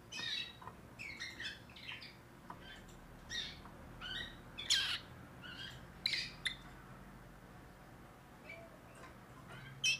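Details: Young timbrado canary from 2024 singing a new repertoire: an uneven series of short, high chirps, twitters and brief rattling phrases spread across the recording, with gaps and a steady low background hiss.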